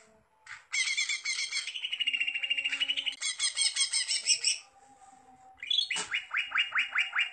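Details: Singing greater green leafbird in gacor form, opening with a long loud buzzy rattling trill of rapidly repeated harmonic notes, a short quiet break, then a fast series of sharp downswept whistled notes.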